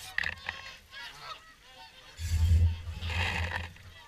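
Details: Evening swan feed at WWT Caerlaverock, with many swans giving nasal, harmonic honks that overlap in a busy chorus. Loud low rumbles of wind or handling noise arrive in the second half.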